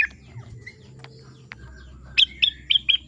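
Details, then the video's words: Rengganis bird singing: after faint scattered chirps, a run of four sharp, bright high chirps repeated about every quarter second near the end, over a low steady background hum. "Suara Burung Rengganis"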